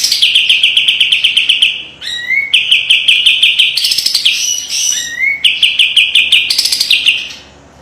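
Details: Master song of a white-eye for training: dense, fast chattering trills with several sharp upward-sweeping whistles that break the runs of repeated notes.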